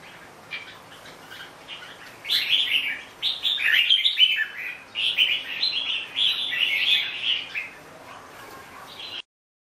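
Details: Red-whiskered bulbul song starting faintly, then a sustained stretch of lively, tumbling warbled phrases that fades before ending abruptly in silence.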